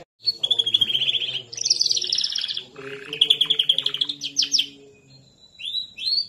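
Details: Canary singing long rolled trills and rapid bubbling note series, rising and falling in pitch, separated by short gaps and ending in a couple of upslurred whistles.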